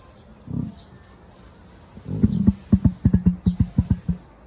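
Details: Deep, burp-like call of a captive emu at Satsukiyama Zoo, Japan: one low rumbling grunt, a pause, then a rapid run of about a dozen booming thumps, resonating 'goo-goo' pulses roughly three per second.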